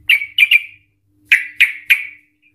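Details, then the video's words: Excited Yellow-vented Bulbul in ropel style, used to provoke other bulbuls to sing: two groups of three sharp, bright notes that fall away quickly, separated by a half-second pause. "Trucukan Gacor EMOSI Ropel panjang Ngikluk Ampuh untuk Pancingan Trucukan agar bunyi Ropel"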